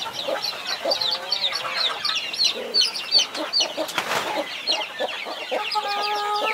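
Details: Hen defending her 21 chicks: constant high peeping from the young, a short noisy burst near the middle, and a low, even, harmonic hen call near the end.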